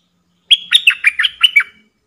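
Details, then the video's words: Decoy bulbul singing to provoke wild birds to fight: one brief, bubbly phrase of about seven rich, warbled notes, rolling down and up, lasting just over a second. "เสียงต่อนกดอกแตงEp.117นกป่าจะรบอย่างเดียว!! นกต่อจ้าวขันเงิน Suara merbah lekir"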